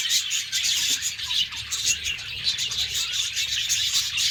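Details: In a morning cage of pet budgies, many birds chatter together in a continuous high twittering warble, with sharp chirps popping out every fraction of a second.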